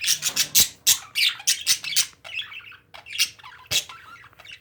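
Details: Domestic parakeets squawk loudly and rapidly, with sharp, harsh bursts coming several times a second at first, then softer chattering chirps between louder shrieks.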